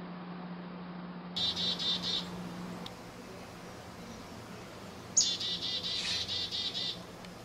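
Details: Chickadees fighting over a few seeds in Moncton, New Brunswick, Canada: two bursts of rapid, high, buzzy chattering notes, the first short and the second longer and louder, over a steady low hum.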